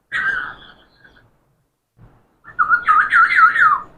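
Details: Talking parrot gives a short falling whistled phrase, a pause, then a quick warbling run of rising and falling notes like mimicked speech.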